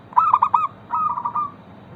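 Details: Local zebra dove song used to draw answers from other zebra doves. A single phrase: four quick, bright cooing notes, then a drawn-out soft purring trill that fades, over low background noise.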